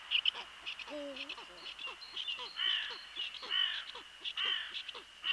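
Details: Crows harass a male Eurasian eagle-owl as it lands on its nest with a large rabbit at 17:47 on 28 March 2013. Harsh, nasal caws repeat about once a second over a steady high-pitched whine.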